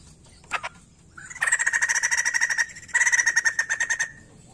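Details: A white-crested laughingthrush sings steadily, used to encourage untrained birds to sing. A couple of sharp notes lead into two loud, rapid, pulsing chatter phrases.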